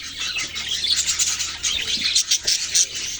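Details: Baby budgerigars chatter with high, scratchy chirps and squeaky twitters, pulsing in short, quick bursts over a faint hum.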